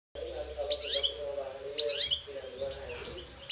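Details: Goldfinch in a singing fight: two short bursts of bright, jangling twitters with rapid rising and falling notes, separated by about a second, over a steady low humming tone.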